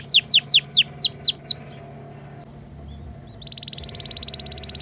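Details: Canary tutor song for young canaries learning ngriwik: six quick, loud, downward-swooping whistles, a second of near silence, then a softer, rapid, buzzy trill of tiny repeated notes over a low hum.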